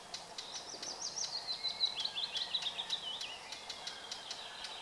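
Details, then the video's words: Red-backed shrike calling outdoors: a high, thin, slightly descending run of quick chirps and ticks, with scattered sharp clicks before and after and a steady hiss of background noise. "Сорокопут-жулан / Red-backed shrike / Lanius collurio"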